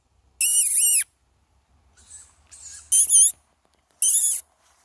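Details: Young tawny owl calling for food: loud, harsh, drawn-out hissing shrieks with a wavering tone, four main calls with softer scratchy ones between, about one per second; faint low hum beneath.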